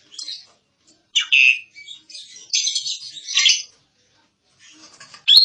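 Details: Asian pied starling (jalak suren) singing actively, in a recording meant as a song model for other birds: broken chattering and squeaky phrases, high and scratchy, separated by short silences, ending in a sharp bright note.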